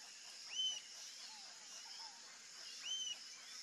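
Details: Rufous-tailed jacamar (ariramba-de-cauda-ruiva) giving two sharp, rising whistled calls about two seconds apart. Faint lower notes sound between them over a constant high buzzing background.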